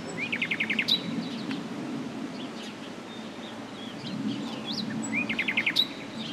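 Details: Common nightingale singing: a quick burst of repeated clipped notes opens the phrase, followed by scattered sharp whistles and short slurred notes, then another rapid repeated series near the end, over a steady low rumbling background.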